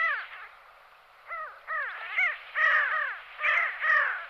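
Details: Pin-tailed sandgrouse at Belchite, Zaragoza, Spain, July 2019, give nasal, harsh, arched notes, about eight in four seconds in loose pairs, rising then falling slightly, over faint background hiss.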